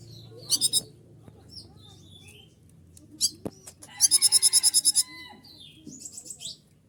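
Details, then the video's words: A konin singing in breeding condition, stimulated by a female konin. It gives very high, thin chirps, then a fast, even trill of about ten bright ticking notes, followed by a few scattered high notes over a low background rumble. "Konin gacor naik birahi melihat konin betina mancing-mancing"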